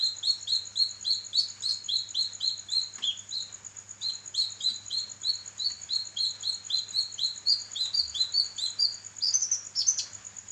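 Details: Training recording of a singing kinoi for songbirds: a long, steady stream of sharp rising chirps at roughly four per second, ending in a higher, squeakier flourish, with a faint steady hum underneath.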